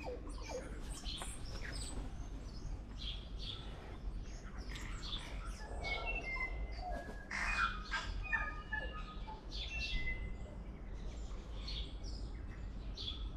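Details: Tui in the Auckland area of New Zealand, giving a varied mix of clear whistled notes, short chimes and buzzy clicks in irregular phrases, with other similar song notes overlapping against a steady low background rumble.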